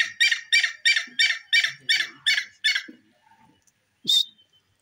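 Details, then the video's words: A quick, harsh, repeated series of about nine rasping notes from a grey francolin, then a pause and one final high, ringing note. "bhura teeter ke voice,dakhni teetar bird sound"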